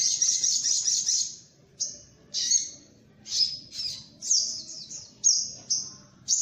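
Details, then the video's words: Sunbird (sogok ontong) lure call: high, thin, rapid twittering phrases, the first long and dense, then short bursts separated by brief pauses. "Suara pikat burung sogok ontong - Suara ampuh pikat burung kolibri"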